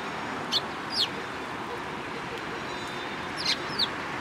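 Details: Eurasian tree sparrows at a Tenmangu shrine on 14 April 2022 give two pairs of sharp, high chirps, one pair early and one near the end, against quiet background noise.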